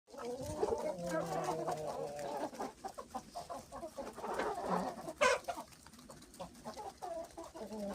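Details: Hens and roosters pecking, several chickens clucking and murmuring in short, overlapping, low-pitched notes, with occasional sharper squawks and light background noise.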